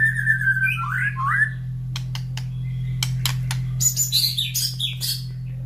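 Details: Morning-fed caged white-rumped shama beside breeding cages of other excited birds: two swooping whistles followed by sharp clicks and rasping, chattering notes, a steady low hum underneath.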